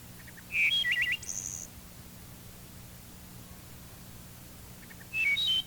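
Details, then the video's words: Wood thrush song from an identification tape: a loud flute-like eole phrase followed by a rapid fluttered series of notes and a high trill, then a second phrase beginning near the end, over low tape hum. "Listen again to the eole and the fluttered ending."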